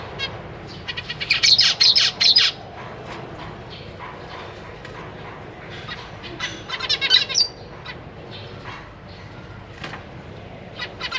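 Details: Zebra finches in a cage, a breeding pair with three juveniles and three new fledglings, 4 May 2023: two bursts of rapid, loud nasal calls, separated and followed by scattered single beeps and soft rustling.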